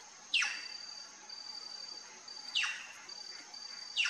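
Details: Plush-crested jay at a feeder giving three harsh, rasping calls about two seconds apart, each a short noisy burst dropping in pitch. A steady high whine continues underneath throughout.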